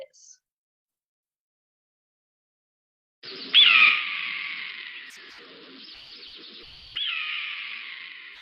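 A red-tailed hawk gives two hoarse, high, downslurred screams, each trailing off over about three seconds, after a few seconds of silence.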